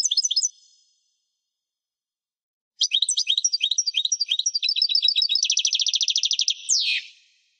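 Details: Caged European goldfinch singing: a short twittery burst, a pause, then a long run of rapid tinkling notes ending in a fast buzzy trill and a harsh rasp, with no other sounds.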